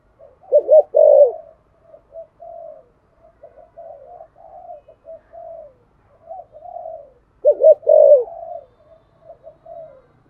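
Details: Spotted dove cooing in the thổ voice to get other doves cooing: mostly quiet, wavering low murmurs, broken by two louder bursts of deep, rough coos near the start and again near the end.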